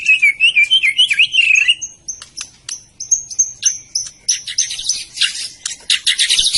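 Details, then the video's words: Medan white-rumped shama singing a warbling wavering whistle, followed by sharp high ticks and thin whistles, ending in dense scratchy high-pitched chatter. "kicau burung murai batu medan"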